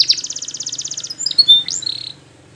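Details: Belgian canary singing for training: a quick evenly pulsed high trill of about twelve notes per second, then bright whistled swoops and a short buzzy note, over a soft low hum.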